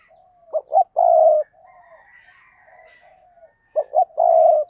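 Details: Spotted dove used as a lure bird gives two cooing phrases, each two short notes and a long steady coo, with soft murmuring between them.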